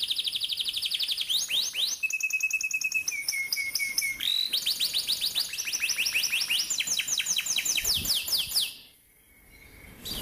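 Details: Canary song played to train young canaries: fast trill, then steady whistled notes stepping down, long rolling series of sweeping chirps, and a sudden near-silence at the end.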